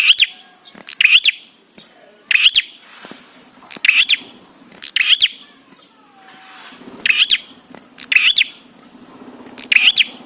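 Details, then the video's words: Bar-winged prinia song for teaching captive birds: repeated bursts of shrill, high chirping phrases, about nine over ten seconds, each a tight cluster of sharp notes, with a faint low hum between. "Prenjak Gacor Suara Ampuh💯% BIKIN PRENJAK CEPAT BUNYI"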